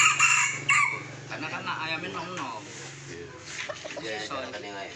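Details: Sumatran red junglefowl heard during traditional luring of young wild junglefowl with a decoy. A brief, clipped crow opens the recording. Murmured voices and scattered rustling noises follow.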